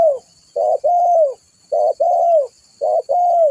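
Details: Lively spotted dove used for luring and tutoring other birds, giving clear, mellow coo phrases: a short note followed by a longer drawn-out falling coo, repeated three times in quick succession.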